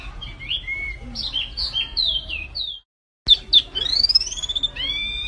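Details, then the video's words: Vigorous (gacor) song of a flamboyan-like bird: a varied medley of high whistled slurs and chirps, a brief silence, then sharp notes and a long rising whistle ending in buzzy harmonic tones. Faint low rumble throughout. "SUARA BURUNG MIRIP FLAMBOYAN GACOR"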